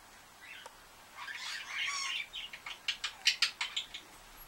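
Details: Pet male budgerigar chattering to impress a female, mimicking other parakeets, starlings, and the whistling and water-gurgling sounds of grey parrots; soft, rapid warbled chatter followed by a string of sharp, clicking ticks about five per second.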